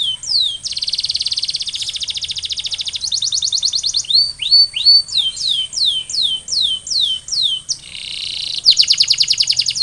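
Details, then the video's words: Canary song for setting other canaries singing: falling whistles, a buzzy sustained roll, fast trills, a long run of sweeping descending whistled notes, and a final dense trill. "Canary Sound Trigger: Turn Silent Canaries into Instant Singers!"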